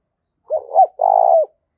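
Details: Spotted dove calling, used to train decoy birds and stir up males. A short partial phrase: two quick curved coos followed by one long, slightly buzzy, level coo. There is no background noise.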